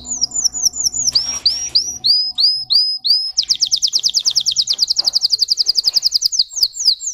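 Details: High-pitched singing of a Russian canary, a singing breed: quick, clipped whistles give way to spaced, hooked notes, then a long, dense, rapid trill, closing with a few separate whistles.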